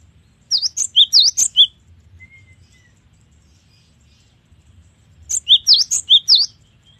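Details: Two bursts of cinereous tit song several seconds apart, each a fast series of about five high, sharp, V-shaped chirps mixed with lower notes. A faint thin whistle falls between them.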